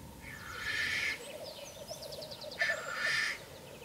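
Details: Black grouse seen from a hide on an evening, about 9 pm: two loud hissing, sneezing rushes about two seconds apart over soft, low bubbling cooing, plus thin high chirps.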